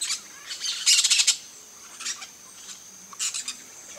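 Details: A flock of peach-fronted parakeets at a feeder in Brazil gives a burst of rapid, scratchy chattering, then shorter rasping calls spaced a second or two apart.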